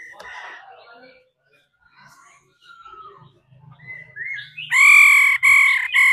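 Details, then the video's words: A female laughingthrush calls to stimulate a male. Scratchy notes and brief whistles come first, followed by a rising whistle and then loud, rasping, harsh bursts. "Khứu mái ro kích trống hót căng hót hay"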